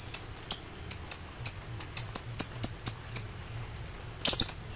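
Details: An excited lovebird calls rivals with ngekek song: a regular series of short shrill chirps, nearly three per second, ending after a pause in a brief harsh, rasping burst.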